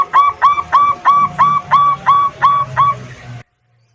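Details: Local zebra dove song used as a lure to prompt silent or newly kept birds to sing: soft cooing notes, each rising then falling, repeated about three times a second for over three seconds, over a faint low hum.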